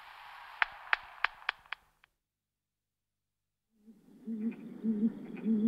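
Great grey owl giving a short series of deep, soft hoots, evenly spaced about half a second apart, after a burst of hissing noise and sharp clicks.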